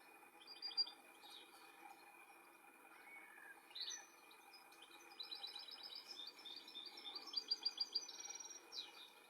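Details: European goldfinch in the wild while building its nest and feeding its young: scattered high thin notes, then fast runs of bright repeated tinkling twitters, with a steady faint high hum in the background.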